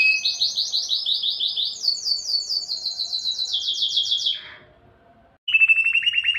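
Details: Singing canary delivering fast repeated trill phrases stepping up and down in pitch, a short falling buzzy slur, a brief pause, then a lower rolling trill.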